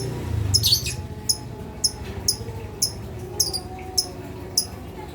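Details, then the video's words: Lovebird call used to provoke silent lovebirds into calling, suited to young birds: short, high, sharp chirps repeated about every half second, over a low background hum. "Pancingan Suara Lovebird Bikin Lovebird Bisu Jadi Rewel Emosi"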